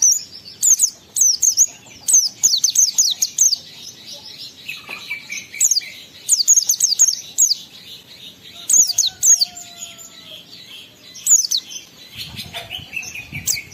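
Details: Oriental white-eye singing in the energetic wild style called ngalas, used as a lure to stir emotion and breeding urge in other white-eyes. High, thin, rapid twittering bursts come roughly every second, with brief pauses and faint low background hum.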